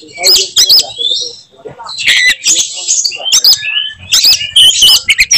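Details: Oriental magpie-robin delivering its distinctive 'tembakan' song material in fighting mode; rapid mixed whistles, trills and clicks jump between high pitches in quick, uneven phrases.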